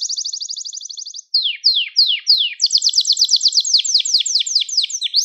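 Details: Song of a Gloster canary for exciting other canaries: an even high trill, four downward-swept whistles, then a long rapid trill breaking into repeated falling notes.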